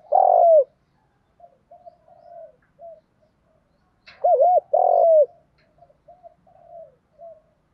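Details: Spotted dove kept as a decoy to call in wild doves: a long falling coo, then a later pair of short looping hoots and another drawn-out coo, with faint scattered murmurs between.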